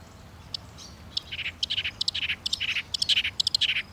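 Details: Rapid, scratchy song from a Northern mockingbird: clusters of high clicks and buzzy notes, growing busier and louder over four seconds, with no other clear sounds.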